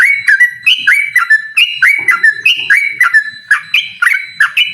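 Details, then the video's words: Yellow-vented bulbul in energetic 'ropel' song, challenging a rival: bright whistled notes, each starting with a sharp downward flick and ending in a held tone, alternating higher and lower, about two per second, with faint low rustling beneath. "suara burung trucukan gacor mengajak lawan adu ropel"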